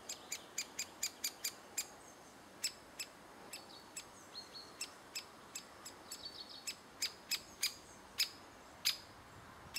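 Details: Great spotted woodpecker recorded in June 2011 with adults feeding chicks; sharp, clipped notes come in quick bursts, then irregular single ticks, over a soft wash of distant birds.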